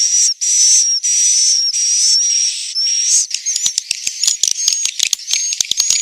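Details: Swiftlets in Central Sulawesi, Indonesia, giving roosting calls: several drawn-out, hissing buzzy chirps with a high whistled tone, then a quick volley of sharp dry clicks mixed with softer buzzy notes.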